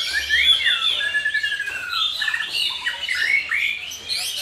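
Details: White-rumped shama of the black-tailed form competing in a singing contest at Batusangkar. It gives clear, fluty whistles and a long sliding note, followed by quick warbled and chattering phrases. Other competing birds call in the background.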